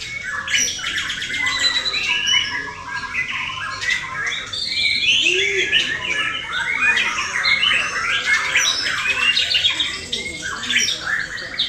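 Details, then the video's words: Competition-trained male white-rumped shama from Indonesia, prepared for singing contests, pouring out a dense, varied song of rich whistles, rapid trills and harsh squawky phrases, with several overlapping bird voices throughout. "murai settingan biasa tidak ada yang istimewa"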